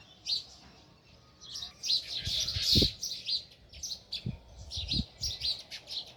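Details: Sparrows close to their nest in a village chatter with rapid, uneven high chirps, while several soft low knocks or thumps sound underneath.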